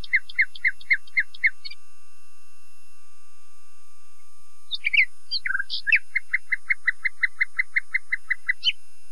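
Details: Common nightingale song: loud, clipped notes repeated in quick series, a pause, then varied chirping notes and another long, even run of sharp repeated notes.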